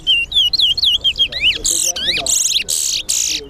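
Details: Caged chestnut-bellied seed finch (towa towa) at a Guyanese singing competition, giving fast whistled slurred notes that drop in pitch, then harsh buzzy bursts near the end, with faint crowd noise behind.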